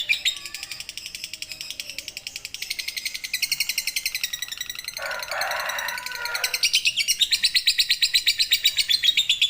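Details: Long ngekek trill from a lovebird, kept as training material for songbirds: an extended, fast pulsing chatter, quieter at first, broken midway by a rough scratchy burst, then louder and sharper rattling to the close.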